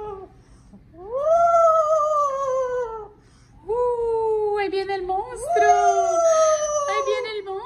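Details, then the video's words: A pet Amazon parrot, crying because it does not want to be bathed, gives three long, wailing, whining cries, each slowly falling and about two seconds long, in a small room. "Loro llorando porque no quiere bañarse"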